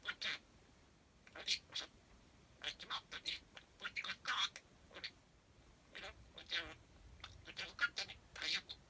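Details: A pet parakeet chatters in quick, squeaky imitations of human words, stringing words into sentences it was not taught: short, high, nasal syllables in bursts with brief pauses, on a quiet background.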